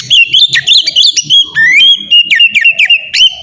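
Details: Ngeplong song of an Oriental magpie-robin, a lure for training birds. Continuous clear whistled notes hold a steady pitch, dotted with quick upward flicks and short chirps, throughout.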